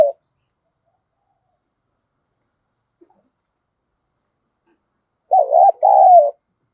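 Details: Decoy spotted dove for drawing in wild doves; long quiet stretch, then near the end a single two-part coo with a wavering note and a longer level one.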